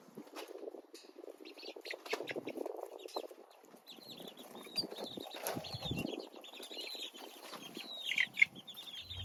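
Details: Chicks peep with high, brief chirps scattered through the recording, partly covered by rustling, scraping and handling noises, with a louder knock near the end.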